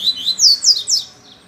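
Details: A double-collared seedeater, said to sing while hanging upside down, sings a quick burst of four high, sweet sliding notes, each rising then falling, before trailing off.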